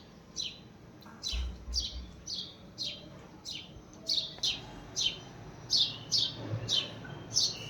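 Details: A house sparrow, said to be calling another sparrow, its friend, gives a steady run of short, bright chirps, roughly one or two a second, with low thumps and faint household noise behind.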